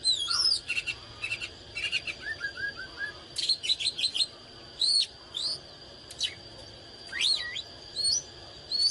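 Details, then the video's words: Excited oriental magpie-robin song: rapid stuttering chips, a short series of lower descending notes, then looping, swooping whistles with gaps, accompanied by a constant faint high tone. "เสียงนกกางเขนบ้านหรือนกบินหลาขี้ควายใต้ Chích chòe than CHÒE THAN CĂNG LỬA HÓT MÚA CỰC HAY"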